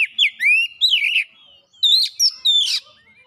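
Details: Lure song of an oriental magpie-robin in full voice, showing off mimicked material: curving whistled slurs, rising and falling, in two clusters separated by a short pause, ending with harsh buzzy notes.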